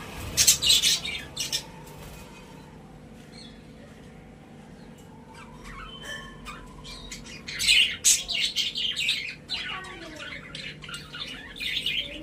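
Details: Caged pet budgerigars burst into loud, scratchy chirps and squawks, go quieter with faint chatter, then break out again into dense high twittering.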